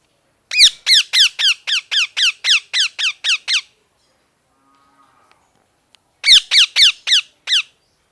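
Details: Parrot calling in a rapid series of about eleven sharp, descending, harmonic-rich squawks at a steady pace, a few seconds of silence, then a second burst of five similar squawks.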